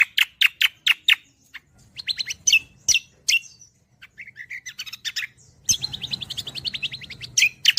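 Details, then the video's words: Cucak kombo leafbird gacoran song meant for tutoring songbirds: evenly spaced loud chips, varied squeaky phrases, short warbled notes, then a long fast rattling trill near the end. "audio Gacoran Cucak Kombo || Masteran Handal Burung Kicau"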